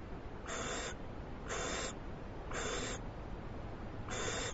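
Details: Owl given a large treat, which it eats quickly, filmed on a live camera on 21 February 2011; four short breathy hisses, evenly spaced about once a second, over a low steady background hum.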